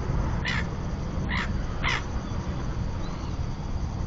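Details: Common terns at a nesting colony on a floating platform in the Marismas de Astillero bird reserve, Santander Bay, Cantabria, pairs incubating eggs; three short harsh rasping calls spaced about half a second to a second apart, with constant low rumbling background.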